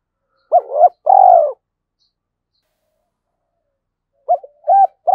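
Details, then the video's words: Decoy spotted dove calling to draw wild doves: a short two-part coo and a longer steady coo, then a pause of nearly three seconds before a further clipped double coo and another drawn-out note. "Chim Cu Mồi gáy gọi hai hậu"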